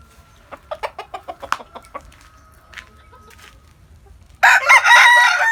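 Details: Morning in a rural home village: a chicken gives a run of quick, evenly spaced clucks, a short pause follows, and then a loud, harsh rooster crow breaks in and is still going when the recording ends.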